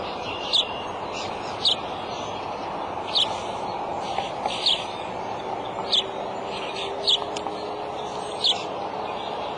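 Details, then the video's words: Adult male bald eagle calling at the nest on March 23 at 2:26 pm: short high, sharp chip notes repeated roughly every second or so, eight in all, over a steady broad hiss and a faint low hum. "dad calling"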